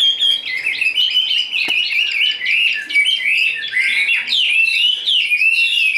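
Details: Fighting-display song from a tame, big-bodied caged Chinese hwamei: fast chattering warble running into slurred, rising whistles, with one sharp click partway through.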